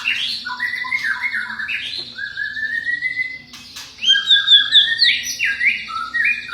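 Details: Champion white-rumped shama kept as a cage bird, singing to provoke a response from other shamas; long sliding whistles and stepped high notes, a louder burst of rapid trilled phrases in the second half, low hum beneath.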